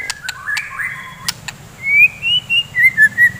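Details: White-rumped shama in the morning, singing to provoke fighter birds: sharp clicks and low slurred whistles, followed by a series of bright rising and falling whistled notes.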